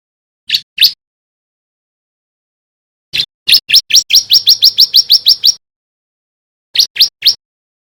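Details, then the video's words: Learning male bar-winged prinia (white-breasted crystal), a lure for other birds: two opening chirps, a pause, a rapid run of about fourteen rising notes, then a closing trio after another pause, with no background sound. "Suara Ciblek belajar bunyi GACOR"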